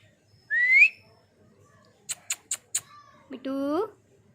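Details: Pet ring-necked parrot: a clean rising whistle, then four sharp clicking notes in quick succession, then a nasal, harmonic-rich call that sweeps upward, with quiet gaps between.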